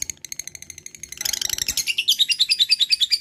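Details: Lovebird ngekek chatter: spaced sharp high chirps build into a dense burst, then a quick regular sequence of loud, bright, squeaky notes repeated many times a second.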